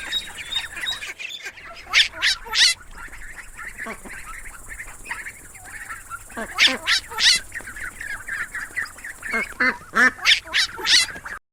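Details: Group of ducklings giving fast, high-pitched peeps in quick bursts, some louder sharp squeaks in clusters around two, seven and ten seconds, against a faint outdoor background hum.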